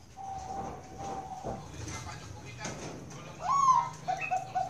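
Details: Perkutut Bangkok, a zebra dove raised at a farm in Kroya, Central Java, Indonesia: a long steady soft tone, a pause with faint background noise, then a bright rising whistle leading into rapid mellow coos.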